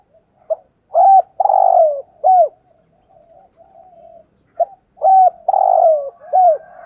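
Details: Daily luring call of a decoy spotted dove, used to provoke wild males. Two loud repeated phrases of a quick note, a sustained coo, a long rolling note and a dropping final coo, with faint soft notes between them.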